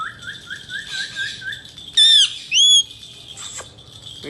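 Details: Male Indian ringneck parakeet with a string of soft low chirps, then two loud harmonic squawks in quick succession and faint rustling, over a continuous high background tone.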